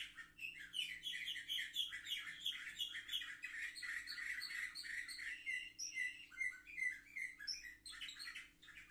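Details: Seven-month-old young canaries recorded on 10 November 2023 deliver a continuous stream of fast chirping trills and warbles, closing with a few clear descending whistled notes over a low background hum.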